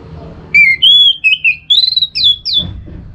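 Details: Orange-headed thrush; song; stimulating other thrushes to sing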